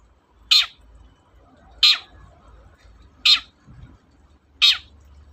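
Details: Long-tailed shrike, played as a lure to stir reluctant shrikes into singing; four harsh, rasping, downward-sliding notes spaced about 1.3 seconds apart over a faint low hum.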